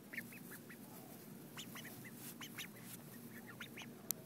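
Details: A group of ducks being fed, 2011: brief scattered quacks and soft nasal calls from multiple birds, with a sharp click near the end and steady background noise throughout.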